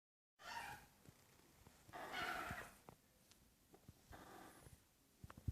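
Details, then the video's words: A baby African grey parrot sneezes three times, short and breathy, about two seconds apart, the middle sneeze longest, over faint soft clicks and room noise. "baby african grey parrot sneezing"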